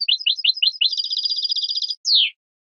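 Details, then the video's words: European goldfinch singing on a 2017 training recording for captive birds: a few spaced twittering notes speed into a dense buzzy trill, ending in a loud descending slurred note. "chant chardonneret 2017 goldfinch TRAINING CD"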